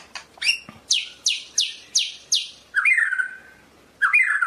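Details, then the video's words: White-rumped shama, Medan type, giving a string of six loud descending whistled sweeps, followed by two rich warbled phrases. "SUARA BURUNG MURAI MEDAN SUPER"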